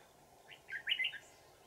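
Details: Wild adult red-whiskered bulbul with a bell-like twisting voice, recorded during decoy trapping on 20 December 2018; one short burst of warbled, slurred notes in quick succession over a steady background hum.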